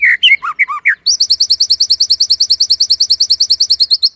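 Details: Caged white-rumped shama (murai batu) singing imitated phrases. A few loud, varied whistles are followed by a long, rapid, regular high trill of repeated chip notes.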